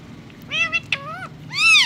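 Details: Ring-necked parakeet uttering Hindi words: three clear voiced syllables, the last longer, louder and arched, sounding like mimicked speech.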